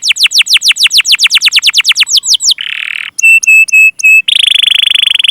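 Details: Pancingan canary song for coaxing stuck and young birds to sing: about twenty fast downslurred whistles, then a buzzy burst, four short clipped ringing notes, and a dense buzzy trill to finish.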